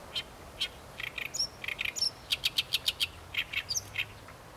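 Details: Song of an Oriental reed warbler: loud, harsh chattering syllables repeated in rhythmic series, a few squeaky higher notes mixed in, then a steady run of identical rasping notes about four per second.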